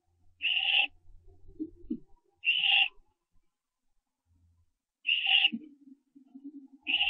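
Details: Barn owl owlets at the nest during branching, before dawn at 4:07 AM on 15 September 2011; short, bright, even-pitched notes come in pairs about two seconds apart, with soft scratching and shuffling between them.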